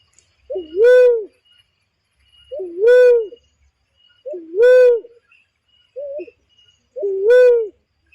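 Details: Trapping lure call of a barred cuckoo-dove: clear, deep, rounded whoops that rise then dip, repeated about every two seconds, with one shorter clipped note. The background is almost silent.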